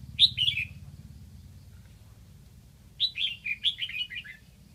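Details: Red-whiskered bulbul used as a caged decoy in Lạng Sơn, Vietnam, calling to draw in wild birds: a short warbled phrase, a pause of about two seconds, then a longer run of six or seven bubbling, descending whistles.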